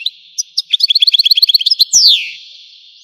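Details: European goldfinch of Algerian origin delivering a quick run of evenly repeated bright chirps, about fifteen in a row, capped by a loud falling whistled slur.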